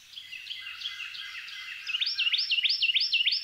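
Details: Blue grosbeak in Alabama, May 23, 2022, gives a quick, jumbled warble of high notes, then a fast run of about seven sharp, hooked notes, each rising then dropping.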